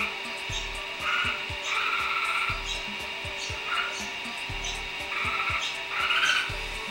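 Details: Visiting little bulbuls give chattering, rolling phrases in short bursts, some lower and some higher, repeated through the recording over thumping knocks and a constant hum.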